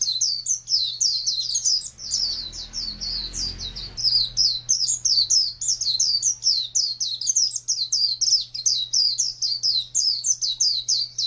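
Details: Rapid high twittering chirps run without pause from an Oriental white-eye in ngalas wild-style song; a low rumbling noise briefly intrudes near the start, and a steady hum persists underneath.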